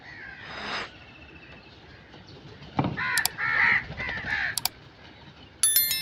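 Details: Crow giving a run of four or five short, grating caws in close succession, with sharp clicks and knocks before and after.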